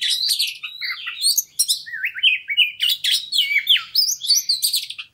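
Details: Fighter Oriental magpie-robin singing insistently to provoke other birds into showing their mimicked repertoire: quick chattering bursts alternating with looping whistled slurs, about three phrases per second, loud and continuous.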